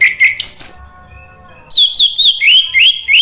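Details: Orange-headed thrush singing energetically to prompt a stalled bird to sing along: a few loud, sharp whistles, a brief lull, then a steady series of looping, slurred high notes about five per second.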